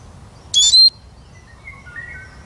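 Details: Eurasian siskin making one brief, sharp doubled note with a high, buzzy start and a falling whistled end. Soft, lower drawn-out whistles from a distant bird follow.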